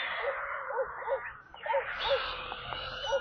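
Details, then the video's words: Stork nestlings in Kaluga Oblast, Russia, on 28 July, while receiving a water delivery at the nest: short arched wheezy notes repeated about once a second over a raspy, breathy chorus, with a brief lull midway. "Доставка воды аистятам"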